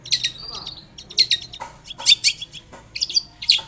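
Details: Long-tailed shrike in full song, used as a lure to make other shrikes call back: bursts of high, sharp chirps and short whistled notes in loose phrases about once a second, with brief pauses between.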